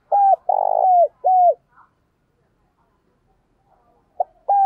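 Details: Decoy spotted dove calling in the morning, a strong, resonant lure call. Three loud, low, hollow coos come in quick succession. After a silent gap, two more coos begin at the end.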